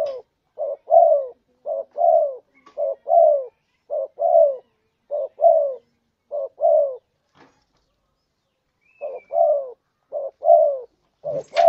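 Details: Tekukur or derkuku, the spotted dove, giving a lure call to attract birds. A long even series of two-part coos, short then falling, breaks off briefly near the end before resuming. A faint thin whistle and a final click can be heard.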